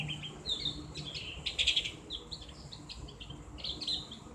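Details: Javan grey-throated white-eye on a tutor recording meant to stimulate chattering (ngriwik) in kept birds, loud open voice; bursts of high twittering chirps with sharp peaks, uneven phrases, faint background hum.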